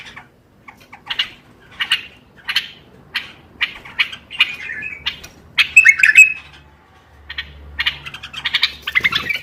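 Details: ['Stimulating bulbul song for silent birds: a series of evenly spaced harsh notes, building into a rich bubbling warble with clear whistled accents, then further scratchy chattering; soft low hum in places.']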